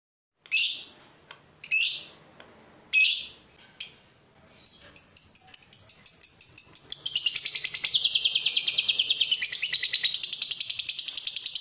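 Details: Fighter lovebird kept as a lure to stir other lovebirds, opening with several short harsh rasping bursts about once a second, then breaking into a long, fast, high chattering ngekek trill that runs unbroken to the end.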